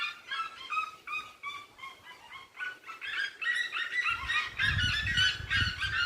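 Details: Red-legged seriemas sing at dusk on a rural farm: loud, yelping calls tumble over each other in a rapid, rising chorus of harsh barks, with a low rumble of wind or handling in the second half.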